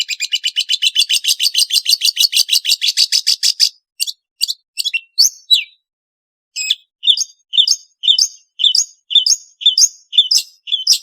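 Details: Long-tailed shrike (Lanius schash) calling: a fast run of about twenty harsh, scratchy chattering notes, then short gaps and a steady series of rasping, two-part notes repeated about twice a second.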